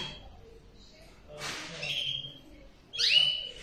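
A male canary sings a brief fragment: a buzzy rattle, a sustained high whistled note, then a bright rising-and-falling whistle, over a quiet room.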